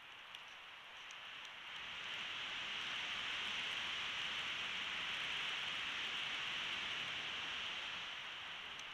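Dense hiss of steady rain, swelling louder after two seconds and easing near the end, with no animal voice heard.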